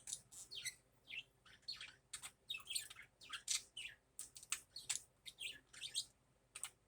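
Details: Budgerigar warbling steadily in the morning: a nonstop string of high, buzzy chirps and sliding squeaks, roughly two or three notes per second, with faint room hiss beneath.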